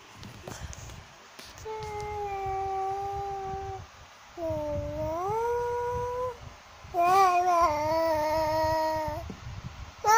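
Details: Cockatoo song of three drawn-out notes: a steady level tone, then one that swoops upward and holds, then a louder wavering note that drifts slightly down, with quiet gaps between.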